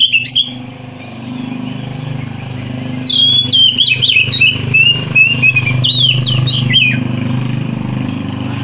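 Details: An Oriental magpie-robin sings a fast run of sharp, sliding whistles and chirps over a loud engine-like drone.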